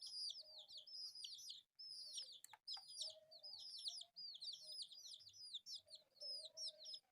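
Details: Four colourful pet chicks playing; shrill, high downslurred peeps tumble out in quick overlapping series, with brief gaps and a faint low hum underneath.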